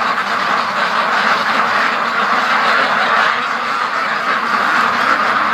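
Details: Free-range ducks from a flock of over 650 hurrying to the lake, their many overlapping quacks blending into an unbroken, even-level chorus.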